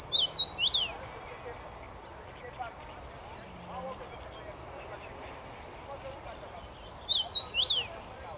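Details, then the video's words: Common rosefinch in a tree on 23 May 2021, delivering a clear whistled phrase of several swooping notes at the start and again near seven seconds, separated by quiet rural background with distant low noise. "Dziwonia śpiewa na drzewie."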